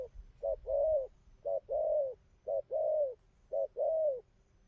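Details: Newly wild-caught spotted dove with a good song pattern, repeating four even pairs of short-then-long mellow coos at a steady rate of roughly one pair per second.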